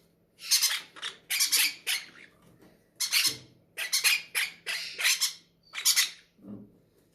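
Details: At feeding time, hungry captive parrots in an aviary keep up insistent harsh squawking, with about a dozen rasping bursts in close succession and a low thump near the end.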